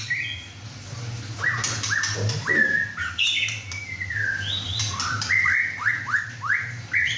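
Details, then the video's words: Young male White-rumped shama, bred in captivity and six and a half months old, singing hard during his first chai session at home: a series of upslurred whistles repeated in quick rhythm, with lower chattering notes between. "White rumped Shama – "Imagine" whacking hard"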